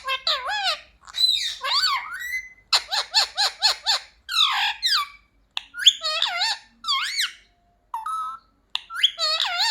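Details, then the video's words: Parrot kept as a talking pet, trained on "mummy papa", chatters in quick strings of arched harmonic syllables, clipped squawks and squeaks, grouped in bursts separated by short silences. "मम्मी-पापा बोलने वाला सुपरस्टार मिट्ठू || 100% असली बोलने वाला मिट्ठू | Viral Parrot Talking Video"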